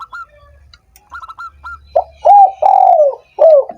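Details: Thin high chirps of another small bird come first, then a spotted dove, used to rouse doves slow to call, delivers one hoarse phrase ending in a long falling coo and a short extra coo.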